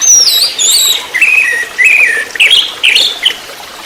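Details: Anis merah, the orange-headed thrush, in trotol-style song used to train other birds: high sweeping whistles, then a string of short warbled phrases jumping up and down, given about twice a second.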